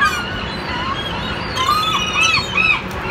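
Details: Gulls in Seattle giving short, nasal, arched calls with faint harmonics, four or five in quick succession through the second half, over steady broadband background noise.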